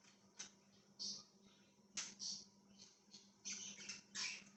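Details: Parakeet chirps: a series of sharp, hissy, high squeaks and short scratchy notes at irregular intervals, roughly eight bursts, heard against a faint steady hum and room noise.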